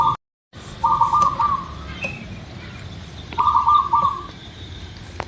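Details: Local-type zebra dove singing, used to lure birds into song: low rolling phrases of rapid broken coos, two full ones about two and a half seconds apart after a brief dropout, with soft hiss throughout.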